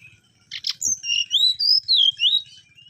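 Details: Mangrove whistler singing looping, slurred whistles that rise and fall smoothly, after two brief harsh notes, with a low rumbling hum in the background.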